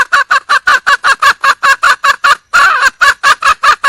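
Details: Red junglefowl hen, wild, calling for a mate: an unbroken train of hoarse cackles about four per second, one note stretched longer midway, with nothing else audible.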